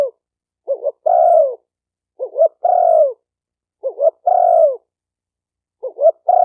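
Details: Spotted dove cooing for training a newly kept bird: two quick low hooting notes followed by a longer, drawn-out descending coo, the phrase repeated about every 1.5 seconds on a clean, quiet background.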